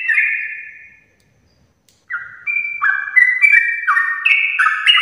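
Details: Sooty-headed bulbul singing its long 'ropel' song in the morning to encourage others to join: one whistled phrase, about a second of silence, then rapid stepped whistles rising and falling in quick succession.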